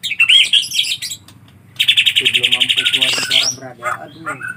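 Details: Collared kingfisher nestlings giving a brief squeaky note, then a fast, even chatter of rapidly repeated high notes lasting about a second, ending in scattered squeaks.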